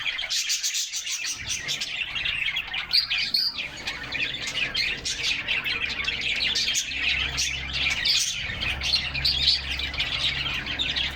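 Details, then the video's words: Canaries singing in unison inside their cage on a summer day, captured by a camera fixed in the cage; steady, busy high-pitched twittering and warbling throughout, with a faint low hum beneath. "Canaries Singing and Playing in Their Cage"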